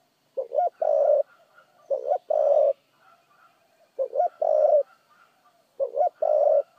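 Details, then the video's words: Spotted dove, fast-paced cooing. Three repeated phrases about every two seconds, each a short double note followed by a longer low hollow coo, clear with faint background sounds. "chim cu gáy thúc gù tốc độ giọng gáy cực chuẩn"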